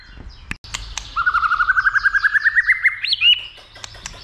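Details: White-rumped shama being trained and stimulated to sing many phrases and to fight. It gives a rapid run of about twenty clipped notes that climb slowly in pitch, then ends with a sharp upswept whistle, with a few faint clicks around it.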